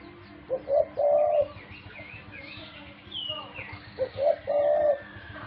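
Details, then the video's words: Pet dove cooing twice, stuttered lead-in notes then a steady low coo, with faint twittering of other small birds in between. "My pet (dove) so wonderful - sound is perfect"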